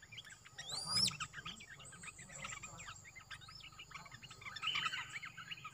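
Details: Olive-winged bulbul, a newly kept caged bird, recorded 29 June 2021 as a lure song; rapid chirping phrases with a high rising whistle near the start and a quieter buzzy burst later over steady background hiss.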